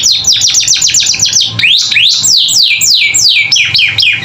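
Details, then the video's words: Captive canary singing a training song: fast series of sharp downward-sweeping chirps, then slower, broad rising-and-falling whistled notes, loud and continuous. "Masteran Kenari Gacor Isian"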